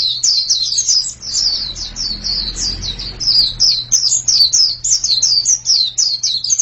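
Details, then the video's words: High sweet twittering of a white-eye, a long chain of quick descending slurred notes; a soft low rumble rises briefly midway and a steady hum runs throughout. "Ini pasti pleci yang sangat super itu kicaunya"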